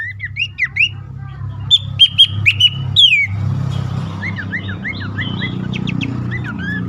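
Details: Abbott's babbler lure call, played to coax caged birds that are stressed or reluctant to sing, best at dawn or night: clear slurred whistles near 2–4k range in quick bursts, then softer rising whistles over a steady low engine-like hum.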